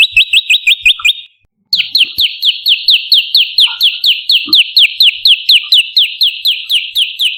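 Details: Olive-backed tailorbird lure song for attracting and training birds: a rapid burst of high chips, a short break, then a long, steady series of sharp, slightly downslurred notes, about two per second.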